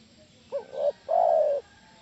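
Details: A single spotted dove phrase used to lure others into answering: a short hiccuping double note, then a long, even, hollow coo lasting about half a second, with quiet background.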